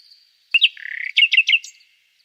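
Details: Short nightingale phrase opening with a sharp click, then a sliding whistled note, a quick stutter of notes and three loud buzzy rising notes, fading out quietly.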